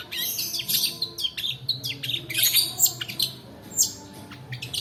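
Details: Training lure of a long-tailed shrike's long 'roll' song, aimed at birds that sing little: rapid, jumbled high chirps and squeaks in dense clusters, easing into sparser notes, with low background hum.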